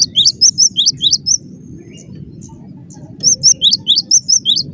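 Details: Cinereous tit in full, dense song: rapid two-note phrases, a higher whistle then a lower one, repeated about six times, a pause of two seconds, then another run of matching phrases over a faint low drone.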